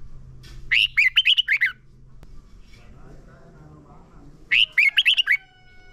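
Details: Red-whiskered bulbul song for training caged birds: two short bursts of rapid, bright chirped notes separated by a pause filled with low background hum and faint noise.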